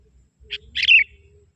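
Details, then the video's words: A young sooty-headed bulbul from the forest, calling wild bulbuls: one short note, then a loud, rich bubbly chatter ending in a bright whistled flick. "Suara kutilang muda hutan memanggil burung kutilang liar"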